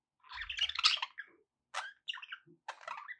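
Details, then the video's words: Budgies chattering for a pet parrot's company: a short warbled burst, then three brief separate chirps with small pauses, plus a faint low knock at the start. "budgie sounds to encourage your parrot to eat and sing"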